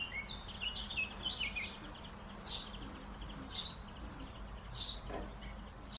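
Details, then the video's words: Whistled calls of a white-faced whistling duck: a run of thin, wavering high notes at the start, then a few short bursts spaced about a second apart, with constant low background hum. "Whitefaced whistling duck"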